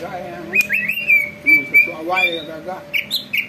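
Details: Greater green leafbird singing vigorously, a song said to set other birds singing and agitated; clear whistled notes slurring up and down, short high chirps near the end, and a person talking underneath.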